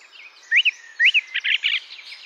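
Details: A male song thrush sings from an ash tree at a field edge in the British countryside during the spring dawn chorus, calling for a mate and claiming territory: a clear upslurred whistled phrase twice, then scratchy chattering notes.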